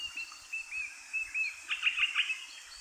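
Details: An Eastern Rosella (Kākā uhi whero), one of three parakeets feeding on alder cone seeds at Kapiti, New Zealand. Short thin whistles lead into a quick cluster of bright, sharp chirps.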